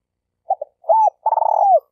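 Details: Spotted dove decoy bird from Malaysia used to lure doves for trapping, giving two short soft hoots, then a smooth mid-pitched coo and a longer, faintly rolling coo that slurs downward at the end; no other sounds.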